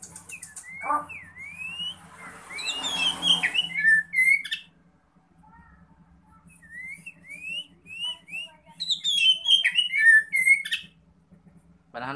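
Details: Oriental magpie-robin, a black-plumaged bird, in relaxed song: bursts of clear rising whistles and slurred phrases separated by quiet gaps, with a faint steady low hum underneath.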